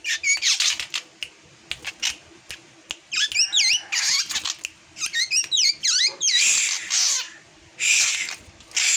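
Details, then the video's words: Drongo delivering an unusual song: dense harsh, noisy bursts alternating with quick looping whistles, the loud scratchy notes repeating throughout. "Kicauan Aneh Burung Srigunting Yang Tak Seperti Biasanya"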